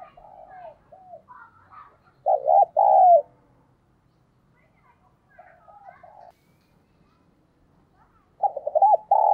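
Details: Spotted dove used as a decoy, calling in a mixed style with 'thúc' and calling coos. Three phrases of low, hollow coos. Each has quick notes, a long downward-sliding coo and a clipped ending. The middle phrase is fainter, with soft background sounds between phrases.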